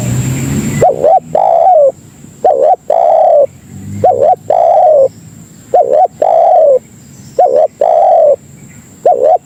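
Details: Luring call of a spotted dove used to summon other doves: a brief hiss, then five regular phrases of a short two-note coo followed by a long sliding coo, evenly spaced.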